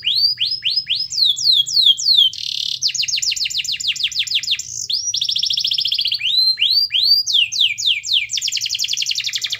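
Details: Energetic canary song meant to trigger a lazy, silent canary into singing: continuous varied phrases of rapid repeated notes, sweeping whistles and dense high trills changing every second or two, with a low hum beneath.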